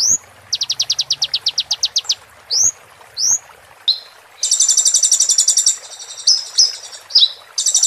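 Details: Van Hasselt's sunbird (konin) song in the roll tembak style, used as training material for a moulting bird. Rising whistled notes open, then a fast rapid trill, upward-curving whistles, a dense buzzy high trill and short sharp notes.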